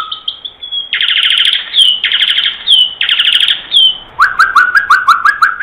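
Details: A common myna singing in the morning gives a varied medley: loud harsh buzzy bursts repeated about once a second, clear whistles, then a run of rising whistled notes and clicks.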